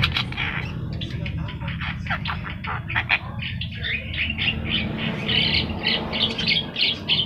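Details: Javan myna, yellow-eyed form, singing at length as a training recording for other birds; rapid strings of clicking, scratchy notes come about three per second over a background hum.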